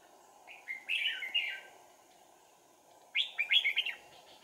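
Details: Red-whiskered bulbul decoy at a trapping site, 4 April 2019: two lively warbled whistle phrases about two seconds apart, each with quick up-and-down notes, over a steady hum.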